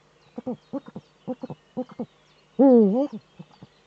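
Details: Male Eurasian eagle-owl courting in the nest niche, northern Rhineland-Palatinate, Germany, 4 May 2013, recorded by a webcam. Paired short low hoots repeat steadily before one loud, bending, sustained call, followed by a few soft notes.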